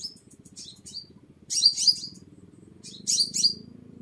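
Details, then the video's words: Sunbird song for luring birds: scattered thin high notes, then two loud bursts of tangled, down-slurred chirps, over a steady low buzzing background. "Tiếng Chim Hút Mật 7 Màu || Hút Mật Xác Pháo"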